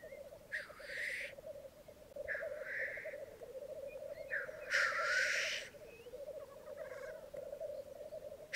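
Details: Black grouse lekking on a Mykland bog at morning, May 2022, twelve cocks and two hens: constant low bubbling rookoo with repeated hissing sneezes, the loudest near five seconds.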